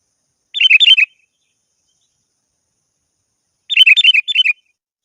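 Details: Sooty-headed bulbul calling a rival: two bright, rapid chattering phrases of about six quick bubbly notes each, about three seconds apart, with silence between them.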